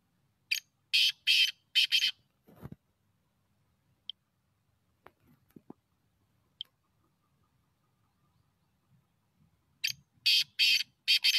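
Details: Black francolin, the bird hunted as teetar, giving two short series of harsh, grating, broadband bursts, about four rapid notes each, at the start and end, separated by near silence with faint clicks.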